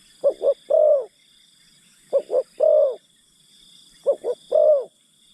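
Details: Spotted dove decoy calling to draw in wild birds; three regular phrases, each two short hollow notes followed by one longer sliding coo, about two seconds apart, with insects droning high and steady.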